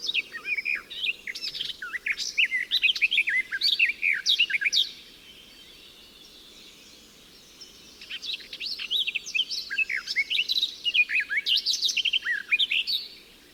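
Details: Garden warbler song from a natural recording, a species heard into June and July and fond of singing at midday: two bursts of hurried, scratchy babbling warble, each several seconds long, separated by a three-second pause, over steady background hiss.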